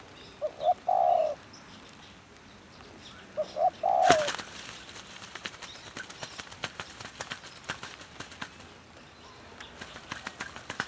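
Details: Spotted dove decoy cooing during rainy-season trapping: two phrases of two short coos plus one long coo, then stopping as loud crackling and rustling clicks take over for the rest.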